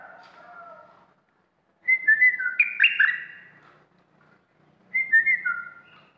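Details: Red-whiskered bulbul, a fierce caged bird used as a decoy to lure wild birds, singing loud whistled phrases that jump and slide between high and mid pitches in two bursts with a quiet gap, preceded by softer lower warbling.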